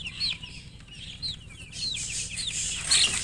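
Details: Chick peeping, distinct high down-slurred notes spaced about every half second, then a burst of hissing noise near the end, over a faint low hum.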